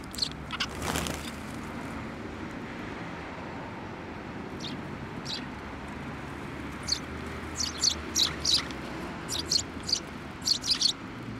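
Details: Sparrows arriving at a shrine bench to be fed, 17 December 2023: a loud rustle at the start, then a lull and a lively run of quick, high chirps in pairs and triplets, with a steady low rumble beneath.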